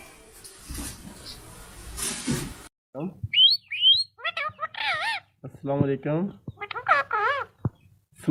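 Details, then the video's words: A pet Rose-ringed (ringneck) parakeet talks in short, squeaky, warbling phrases that wobble up and down in pitch, after a few seconds of rough background noise. "ringneck parrot talking"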